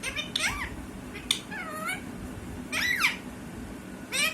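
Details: Indoor parrot giving several sliding, curved calls, some bowing downward then up, others falling steeply, each under a second and separated by brief gaps, with steady low room hum beneath.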